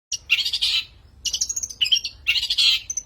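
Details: Long-tailed shrike song played to lure shrikes: loud harsh scratchy chattering bursts, each about half a second to a second long, separated by brief gaps.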